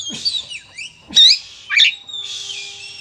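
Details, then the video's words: Oriental magpie-robin fighting song, used to provoke other birds: sharp whistled sweeps rising and falling, a loud harsh burst near the middle, then a long sustained high trill over a quiet background. "suara burung kacer gacor narung"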